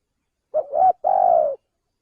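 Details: Male spotted dove (tekukur) cooing, recorded as a lure call for bird trapping: a short low hooted note, a brief gap, then a longer steady mellow coo, all low-pitched and clean with no other sounds.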